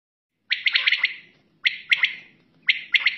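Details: Quail (batair) calling at night and in the morning: a sharp three-part call with a clipped opening note and two quick follow-up notes, repeated roughly once a second in three bouts, fading in a short buzzy tail, with a quiet background.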